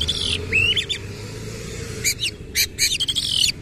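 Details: Oriental magpie-robin singing in 'nembak ngerol' fashion with tail open: a gliding whistled note and buzzy phrase, then a quiet gap followed by rapid scratchy clicking bursts and a thin high whistle.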